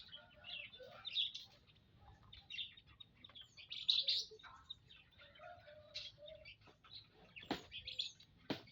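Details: Munias in an aviary, recorded Saturday 19 April 2025, giving short, high, thin chirps in scattered bursts from several birds at once, with quiet pauses between calls.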